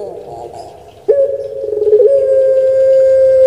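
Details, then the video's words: Pet puter pelung dove: after faint mumbling, a sharp onset leads into a wavering note that steadies into a long sustained coo. "Suara Merdu Menggema //Puter Pelung"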